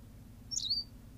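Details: A single quick call from a Berthelot's pipit on La Gomera in the Canary Islands: a high, sharp squeak that bends down into a short, thin, slightly rattling whistle. Quiet low hum behind it.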